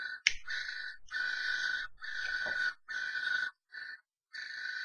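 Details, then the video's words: Three common starlings brawl in a nest box when an outside starling intrudes on a pair; a sharp knock, then a string of harsh, rasping screeches with scraping and thumping noises of the struggle. "3 Spreeuwen vechten in de Spreeuwenkast."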